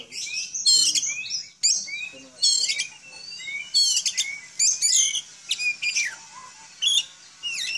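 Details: Home-kept village Oriental magpie-robin, not a contest bird, singing to draw answers from other magpie-robins: loud, varied phrases of clear whistles, sharp rising and falling slurs and rapid buzzy chattering bursts, separated by short pauses, with a faint low hum underneath.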